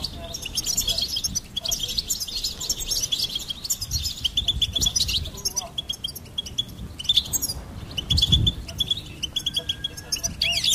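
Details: Goldfinch in sustained song: continuous high twittering with buzzy, tinkling phrases and repeated chip notes, against a low murmur of background noise.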